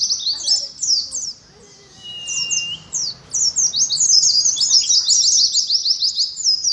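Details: Oriental white-eye 'ngalas' contest song for a caged colony: scattered high chirps, a brief lull with a flat whistle, then a building stream of rapid, buzzy high trills.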